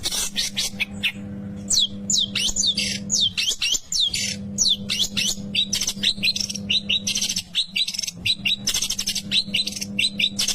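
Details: Long-tailed shrike in a 'tembakan maut' (deadly shots) song: a fast, varied stream of sharp whistled and chattering notes, many steeply slurred, delivered almost without pause over a constant low hum.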